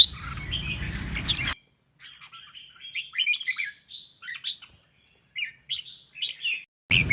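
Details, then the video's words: Red-whiskered bulbul song in a duet, used to stimulate birds to sing and compete: short warbled, whistled phrases in bursts with brief gaps, opening and closing with low noisy handling sounds. "CHÀO MÀO | Hót giọng đôi cực hay - luyện giọng kích chim hót đấu"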